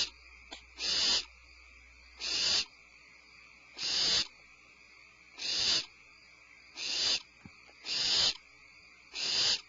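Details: Barn owl on a February evening after a supplemental prey drop: seven short, harsh, hissing bursts like hiccups, about one every one and a half seconds, each abrupt and raspy, over a quiet background.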